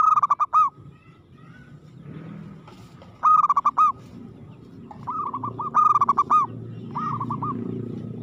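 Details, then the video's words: Local zebra dove delivering aggressive, persistent song, with repeated bubbling trilled phrases of rapid coos, some loud and rich, others softer, over a low rumbling background. "suara perkutut gacor agresif mental baja"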